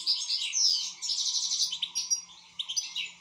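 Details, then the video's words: European goldfinch singing a fast, continuous run of high twittered notes, sweet slurred whistles and scratchy trills, with a steady low background hum. "حسون شغال"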